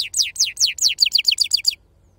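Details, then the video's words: European goldfinch, authentic wild 'khalwi' sarfati song: about ten bright, downward-slurring whistled notes, the first ones slow and long, then quickening and shortening into a rapid series before stopping. "أفضل تغريد بندوق حسون خلوي أصيل الله يبارك لصحابو ما شاء الله لغه خلوي أصيل سرفاتي"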